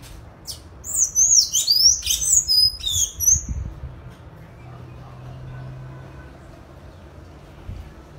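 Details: Sayaca tanager singing free in nature: high, thin, squeaky twittering phrases in quick succession for about two and a half seconds, then near quiet with only a low background rumble.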